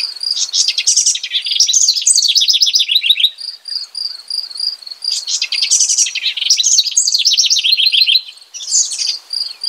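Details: House wren repeating its rich, bubbly song: two long bursts of fast descending chattering trills, each about three seconds, separated by a pulsing high steady note, with a third phrase starting at the end.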